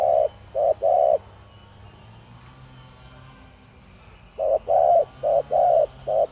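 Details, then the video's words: Spotted dove with the Thổ Đồng voice, calling to make wild doves respond: three flat coo notes, a three-second gap of low hum, then five more quick short and long coos. "Cu gáy Thổ Đồng kích bổi nhanh nổi/Chim cu gáy giọng nhạy bổi/bổi nghe gáy như điên/cu rừng phản ứng"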